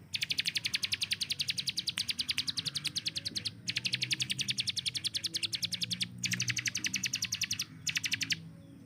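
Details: Rapid-fire song of a hill prinia kept to train contest birds: repeated volleys of dense, high, clipped chips, each several seconds long. The volleys are split by short breaks.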